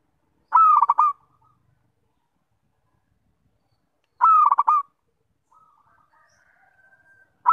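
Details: Zebra dove (perkutut), a local bird, singing a melodious song: two low cooing phrases about four seconds apart, each a drawn opening note followed by quick throbbing pulses, with a faint softer coo between them.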